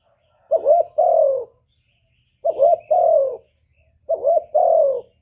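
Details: Spotted dove lure call meant to provoke wild birds into cooing: a short throaty two-note coo followed by a longer, slightly falling coo, the phrase repeated three times roughly every 1.8 seconds against a quiet background.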